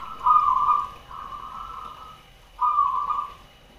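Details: Zebra dove, a local perkutut of the 'sarang tanah' type, cooing actively in a layered double style. Three mellow whistled coo notes are held evenly. The second follows straight after the first, and the third comes after a pause.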